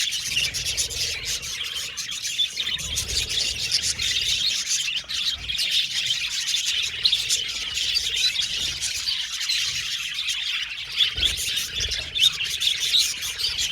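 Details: Aviary budgerigar colony chirping, described as happy: many birds chattering at once in a thick, unbroken wash of high twittering and warbling, with a few harsher squawk-like notes.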